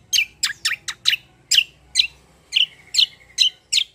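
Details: Black-winged myna giving a fighting-style rolling song. About twelve loud harsh rasping notes come at a quick, slightly uneven pace, with a brief whistled trill in between.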